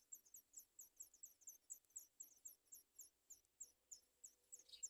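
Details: Baby sooty chats crying to be fed, giving quick, sharp, very high squeaky chirps in a steady rapid series, with a faint low tone entering partway through.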